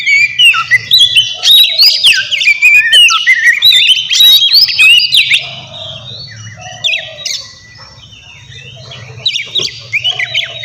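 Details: Oriental magpie-robin singing loudly and busily, used as a lure to provoke a rival into answering: rapid tumbling run of sharp whistles, trills and chirps, dense for six seconds, then quieter scattered notes over a low steady hum.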